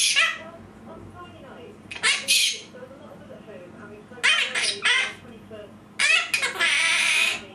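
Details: A pet monk parakeet (Quaker parrot) mimics human sneezes with sharp, hissy bursts, while a person talks softly between them.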